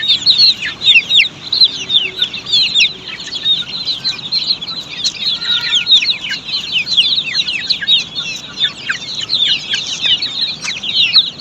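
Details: Many Australorp chicks peeping together on a poultry farm, a steady stream of loud high chirps, short and falling in pitch, overlapping densely for the whole stretch.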